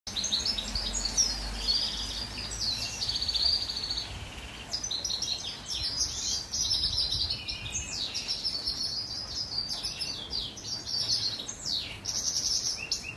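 A goldfinch mule sings a fast, bright twittering song of high chirps and trills, with steady rain behind.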